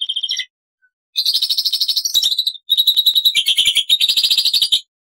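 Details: Black-winged myna (Acridotheres melanopterus) in loud, fast chattering song used as a tutor recording, with long and short bursts of harsh, buzzy high notes, several per second, and brief pauses between phrases.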